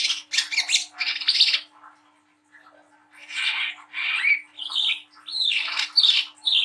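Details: Brown-throated Sunbird, a young spotted bird, singing energetically in coarse 'ngriwik' chattering style with song phrases, used to stimulate young birds. Harsh high buzzy bursts, a short pause, then squeaky rising and falling twittering phrases.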